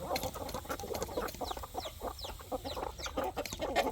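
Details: Chickens and chicks on a country poultry farm at evening feeding make steady bubbling clucks beneath repeated thin, falling chick peeps.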